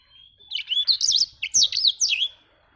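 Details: Singing actively, a black-throated canary called blacktrut jabrig gives a short two-part burst of quick, high, looping warbled notes above a faint thin whistle, ending after about two seconds.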